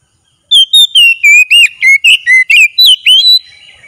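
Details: Oriental magpie-robin in full daily-training song: a quick, lively chain of piercing whistles, alternating long slurred notes with short upward flicks, about four per second, nothing else audible.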